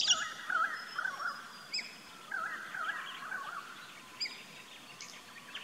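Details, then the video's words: Galahs in an Australian backyard garden giving shrill, squeaky, wavering screeches in irregular bursts, roughly two a second, with thin high chirps from other birds and faint outdoor background noise. "Bird Calls/Songs/Sounds~Australian Galah"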